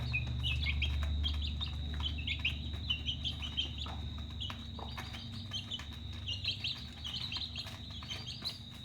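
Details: Chickens' chicks at feeding time give a steady chorus of thin, high peeps, many short falling notes overlapping in quick succession over a low background hum.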